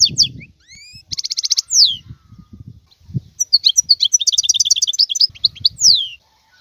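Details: Wild European goldfinch song of rising and falling slurred whistles, a rapid buzzing trill and sustained bright twittering chatter over a low rumbling background.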